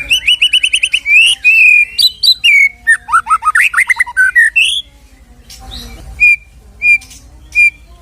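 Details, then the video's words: White-rumped shama filler song meant to bring a shama back to fighting form: a dense rush of whistled and chattering notes, then a pause and three clean, evenly spaced whistles. "MURAI BATU KENA MENTAL \FIGHTER KEMBALI SAAT DENGAR KICAU ISIAN INI"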